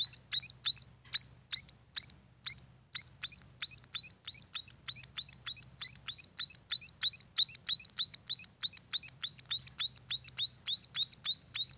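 Munia chicks give rapid, high, thin chirps about three times a second, growing steadily louder and faster, over a faint low hum.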